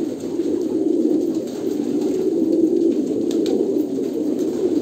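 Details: Kolkata pigeons produce warm, low, bubbling coos that blend into a continuous, fairly loud chorus.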